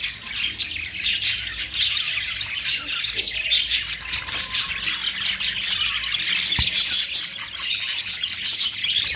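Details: Budgerigar, called Australian parrot, giving a dense, unbroken stream of high squeaky chirps and warbles, many overlapping voices with sharp clicks throughout.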